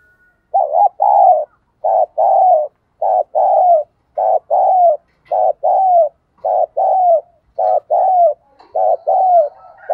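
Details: Spotted dove used as a decoy bird, cooing in the morning to call in wild doves: clean, low paired coo notes repeated steadily about once a second, with short gaps, in a quiet setting.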